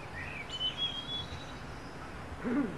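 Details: Wild niltava singing at first light of dawn in forest wilderness: a thin, high, level whistle held for nearly a second, preceded by a short rising note, with a lower chirping call and soft background hiss.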